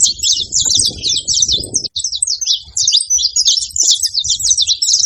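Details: Saffron finch singing in nature, a long run of fast, sharp chirped notes high in pitch, strung together almost without pause, with faint low rumble underneath.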